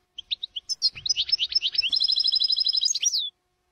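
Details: European goldfinch in the Jordanian style, recorded as a training song: short lead-in chirps, a burst of liquid twitters, then a rapid ringing trill of evenly repeated notes ending in a descending note.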